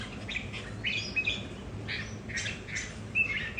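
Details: Caged red-whiskered bulbuls at home in a territorial contest: brief chirpy bursts and quick slurred notes come in loose, uneven clusters, fairly soft, against steady low background noise.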